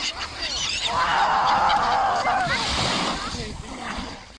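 Gulls give harsh, overlapping squawks and wavering calls in a dense chorus, with some splashing and background chatter.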